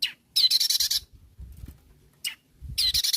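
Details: Long-tailed shrike in an energetic calling mood, challenging rivals: long bursts of harsh, buzzy chatter, a single short sharp note between them, with low background rumble.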